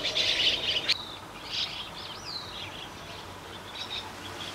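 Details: Juvenile chestnut-cheeked starling in a garden, recorded in the morning: a burst of raspy high chirps, a sharp click, then thinner scattered notes including a few sliding, downward whistles over faint background hiss.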